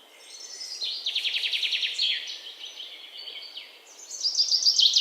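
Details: Birds chirping outdoors: a rapid buzzy trill, then thin whistled notes, ending in a loud, bright, fast trilled phrase over constant background hiss.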